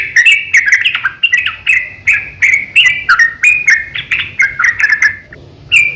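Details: {'text': 'Yellow-vented bulbul singing a long, rapid fighting song used as a lure to provoke other bulbuls into singing: bright, bubbly whistled notes tumbling up and down in quick succession, with a short pause near the end before a final phrase.'}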